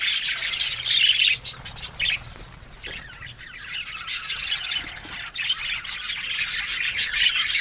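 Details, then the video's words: Budgerigars in an aviary colony with a busy mix of high twittering and scratchy squawks, louder at the start, softer in the middle, then building again. "Parakeet's Lonely Budgies Sounds"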